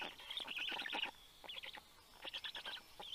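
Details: Black stork nestlings growl while their parent comes home with fish, 11 June 2022 at 9:56 AM. There are harsh, scratchy bursts of quick pulses with short gaps between them, over soft background hiss.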